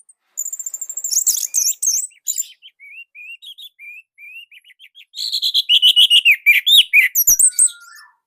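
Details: Indonesian orange-headed thrush song, described as unique, rather tight and loud: high twittering that opens into a run of short, evenly spaced rising whistles, then a fast, loud, varied chattering passage and a final falling whistle.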